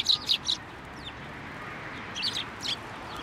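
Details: Sparrows coming onto a hand for food at a Tenmangu shrine on 15 November 2023. A trio of loud, bright chirps opens, followed by a quieter cluster of high twitters after a short pause.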